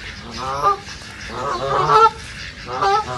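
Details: A brief passage of duck calls recorded in a reserve: blurred, overlapping nasal quacks rise and fall in quick succession against steady background noise.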